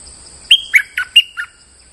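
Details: Bulbul lure song from a bird in molt: one fast phrase of five loud, sharp whistles, high then dipping and bouncing back up, over a faint constant high-pitched hum.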